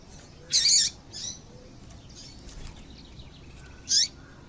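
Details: Female double-collared seedeater calling, used to stimulate males into singing; two sharp, high chirps spaced about three seconds apart, with faint softer notes between.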